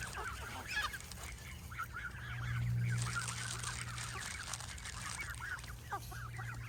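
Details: A large flock of Canada geese being fed nuts honks continuously, with overlapping nasal calls several per second over a low steady hum.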